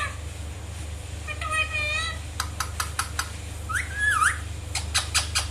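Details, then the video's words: A playful Indian ringneck (rose-ringed) parakeet gives a wavering, warbled chatter, a run of sharp clicks, then one loud rising-and-falling squawk, over a steady low hum. "natural sound of Indian ringneck parrot"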